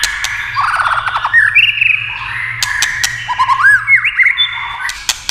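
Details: White-rumped shama singing among tail-tapping clicks that spur its song: a buzzy descending trill, then bright upslurred whistles and bouncing looped notes, sharp dry ticks in between.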